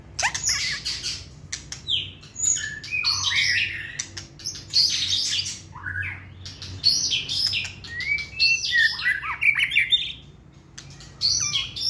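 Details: Caged white-rumped shama, a short-tailed bird kept for song competition, singing a rich varied phrase of whistles, buzzy slurs and sharp chirps in bursts, with scattered clicks in the background.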